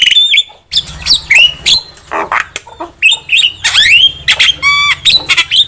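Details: Javan myna song for trapping lures: scratchy squawks, sliding whistles and a rapid ticking rattle, with a low background hum.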